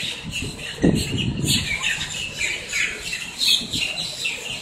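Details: Blackbirds squawking in Miami, Florida: loud, harsh, rasping squawks from several birds overlapping, with a brief low thud near the start and ongoing chatter behind.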